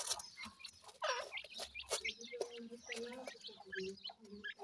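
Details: Grey francolin chicks calling: short, high, thin chirps and peeps scattered irregularly through the clip, some rising or falling quickly, over a faint low steady hum and light background clatter.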